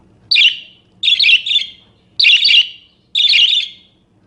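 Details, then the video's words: Budgerigar song with several variations, used for training or prompting other birds: harsh, buzzy chirp bursts, some doubled, repeated about once a second over a faint low hum. "Suara Kicau Burung Parkit Berbagai Variasi Untuk Masteran atau Pancingan"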